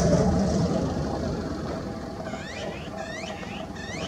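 Azure-winged magpie giving harsh, arching call notes in quick succession over steady traffic rumble.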